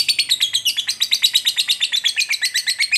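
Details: Fighter lovebird's ngekek, a long trill played to anger and provoke another lovebird; very fast, even ticking chatter of bright, high notes pouring out continuously without a break, slightly wavering in pitch.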